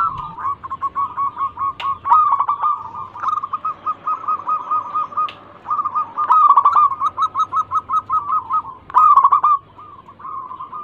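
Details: Local zebra dove used as a singing lure: long sequences of rapid, even, clipped cooing notes with short pauses between phrases, over a steady low hum.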